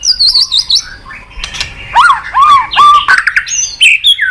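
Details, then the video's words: White-rumped shama lure song: high wavering whistles at the start, then several strong arched whistled notes and a quick scratchy phrase. "Pancingan MURAI BATU MALAS BUNYI Sekali putar langsung NYAUT ,GACOR & BONGKAR ISIAN"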